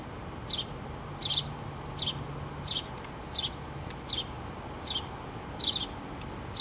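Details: House sparrow mother with two young birds at a nest in a pole, recorded 3 August 2017; sharp high chirps, often doubled, repeated roughly every three-quarters of a second over a low steady hum.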